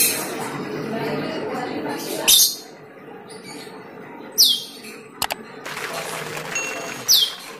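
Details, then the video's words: Cucak keling lure sound: separated descending whistles about every two to three seconds, with a few sharp clicks and broad noisy bursts between them. "PANCINGAN CUCAK KELING"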